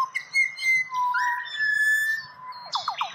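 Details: Pied butcherbird, Australia, singing smooth whistled notes that leap between high and low pitches, ending with a quick run of short falling notes.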